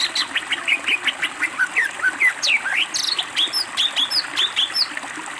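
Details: Greater green leafbird singing energetically for a training master, a continuous stream of harsh chattering notes, swooping whistles and high sharp chirps in quick succession.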